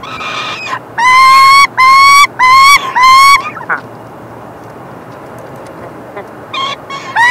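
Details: Male peregrine falcon feeding his chicks, 3 June 2024, while the young beg. After faint calling, four loud rasping screams come in quick succession, then a pause and further softer cries.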